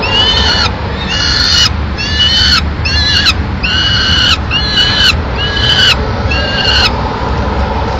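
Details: Peregrine falcon nestlings in Madrid, May 19 2016, eating a pigeon brought by the female; steady series of about nine strained, ringing harmonic calls, each under a second, evenly spaced over eight seconds.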